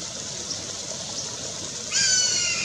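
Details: A black caracara at Pousada Jardim da Amazônia, São José do Rio Claro, Mato Grosso, Brazil, in May 2021, gives one drawn-out, high, slightly falling scream near the end, after a steady hiss like rushing water.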